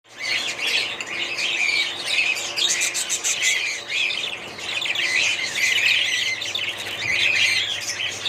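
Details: Budgerigars, a family group, chattering continuously with busy warbled and chirped notes, overlapping high squawks and twitters from several birds at once.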